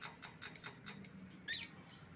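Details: Lovebird lure sound for recalling an escaped bird: rapid, scratchy high chatter with three louder piercing chirps spaced about half a second apart.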